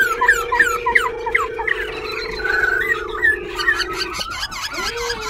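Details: White-browed laughingthrush singing in a cage in Bình Chánh, Ho Chi Minh City while dancing; soft jumbled whistles and chips with a clear whistled note midway, over a continuous low humming tone.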